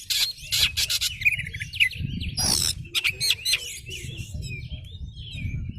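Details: Oriental magpie-robin in full song, used as a lure to make other magpie-robins answer: a lively jumble of sharp chirps, rapid trills and sliding whistles, over a steady low rumbling background noise.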